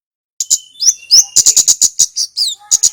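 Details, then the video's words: Male red Javanese flowerpecker gives sweeping high upslurs, then an even run of crisp, piercing ticks and a final rising slur. The recording is meant to train other birds. "suara kemade gacor"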